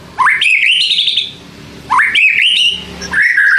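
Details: White-rumped shama singing a provoking lure for silent shamas: clear whistled phrases that climb quickly and then hold a wavering high note, repeated twice, with a third lower phrase starting at the end.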